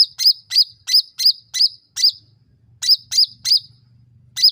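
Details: Provoking lure call of a sooty-headed bulbul: a steady string of six bright chirps, a brief break, then four more, each note sharp and high with a falling tail.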